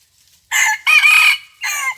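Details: Decoy-trapping scene with red junglefowl, morning of 27 January 2021: a close, loud crow in three bursts, a short first syllable, a drawn-out grating middle section and a clipped final note, with a quiet background.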